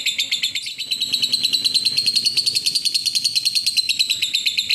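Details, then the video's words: Lovebird performing an exceptional ngekek, its long continuous chattering song: rapid, unbroken high-pitched trill of scratchy notes, about three per second, sustained throughout with a faint low rumble behind. "Lovebird Ngekek Istimewa"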